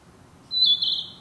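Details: Narcissus Flycatcher, a summer breeding bird in the woods, gives a single sweet whistled note that slides slightly downward.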